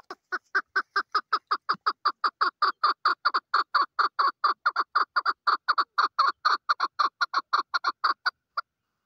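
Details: Long, even burst of chuck notes from a female chukar partridge, around five clucks a second for over eight seconds, steady in pitch and loudness, ending abruptly.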